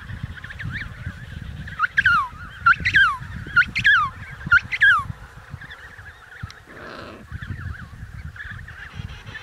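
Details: Emperor penguin calling over a windy, rumbling background: four loud descending trumpeting notes about a second apart, each sliding down sharply, followed by a low buzzy blast and fainter answering calls.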